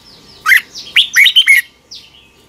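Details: Red-whiskered bulbul morning song, used as a lure to train other bulbuls to sing: a faint opening note, then a tight cluster of loud, bright whistled notes with quick sweeps, and a softer descending note at the end.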